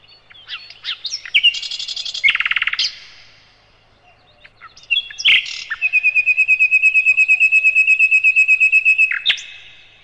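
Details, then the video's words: A sikatan londo (nightingale) sings loudly as a tutor for other cage birds: chattering notes and a brief pulsed burst, a silence, then a long, even trill of rapid repeated notes lasting about four seconds. "Materan Burung Sikatan Londo"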